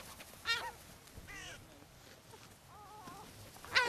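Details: Gulls being fed on the beach at Brean Sands, Somerset, England, on a spring day in April 2013; several short harsh, wavering squealing calls with rising and falling tones, the loudest at the start and end.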